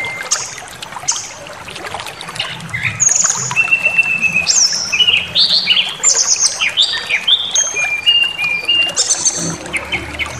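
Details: Song of an agitated white-rumped shama, provoked into aggression: a rapid string of clear whistles, level tones and upward sweeps mixed with sharp chirps, delivered almost without pause, with a soft trickling background.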